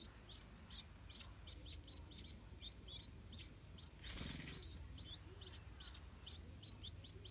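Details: Hungry Stripe-throated bulbul nestlings while the parents defend the nest: rapid run of high, sharp squeaky chips, roughly two per second and somewhat irregular, with one brief loud rustle midway.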